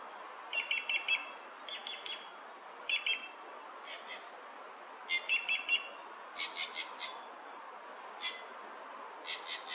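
Inca jay giving clipped, ringing metallic notes in quick bursts of two or three, irregularly spaced, with one thin drawn-out whistle partway through.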